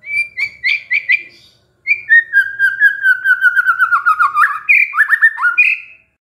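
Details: White-rumped shama pancingan song, a lure meant to make a stressed shama sing: a few bright whistled phrases, a pause, then a fast descending chain of clipped notes closing with rising buzzy flourishes.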